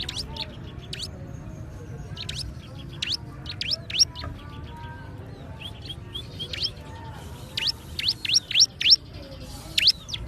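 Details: Bar-winged prinia giving bursts of thin, high chirps, sparse at first and then quicker and louder toward the end, over a continuous low background hum.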